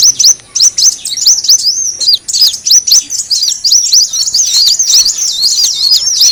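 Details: Sunbird lure recording of the brown-throated sunbird: a busy stream of piercing high chirps and quick wavering notes, growing denser and nearly unbroken in the second half.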